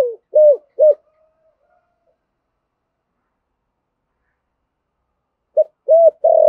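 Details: Spotted dove with a 'giọng thổ' voice, used to rouse a decoy to coo: three short hollow coos, a long silence, then three more low notes, the last sustained and cut off at the end.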